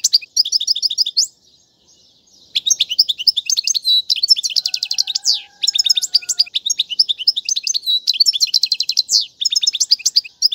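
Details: A goldfinch delivers song for teaching chicks: bright rapid twittering and buzzy rattling trills, a brief gap, then sustained varied phrases with a faint lower whistle in the background.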